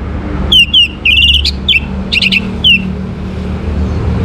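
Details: Orange-headed thrush delivering song to encourage other birds to join in: clear descending whistles and a brief trill, repeated several times in under three seconds, over a faint low rumble.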